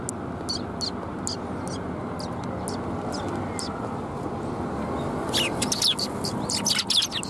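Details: On 28 January 2021, sparrows gather at a Tenmangu shrine to be fed. Scattered high chirps grow into a busier, louder burst of overlapping twitters near the end, with a constant low rumble behind.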